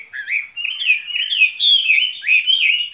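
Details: Skylark in a cage pouring out a steady, unbroken warble of slurred whistles and buzzy trills.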